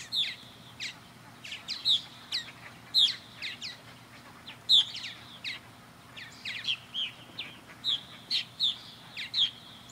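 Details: Purple martins circling a backyard birdhouse on a clear day, with steady chirping and gurgled warbles from several birds overlapping, loud bursts roughly every second.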